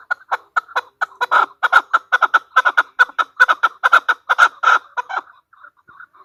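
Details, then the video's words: Female chukar partridge calling: a fast, steady run of harsh, clucking chuk notes, a little over two per second, that ends in a few softer, quieter notes. "chukor|chowkor|chokor|female partridge is calling|female birds|مادی چکور کی آواز|مادی چکور کی بولی۔"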